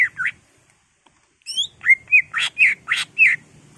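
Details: Greater green leafbird in excited song, used to spur other caged birds to sing: two opening whistles, a gap, then a rapid string of sharp upward notes mixed with harsh, buzzy chirps.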